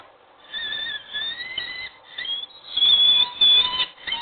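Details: Peregrine falcon at Wołomin, morning meeting and mating: drawn-out, whining, slightly wavering wails, rising and falling in pitch, growing louder and harsher toward the end.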